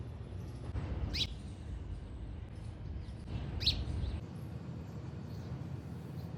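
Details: A house sparrow (Passer domesticus indicus) gives two short, bright chirps about two and a half seconds apart over a steady low rumble of background noise.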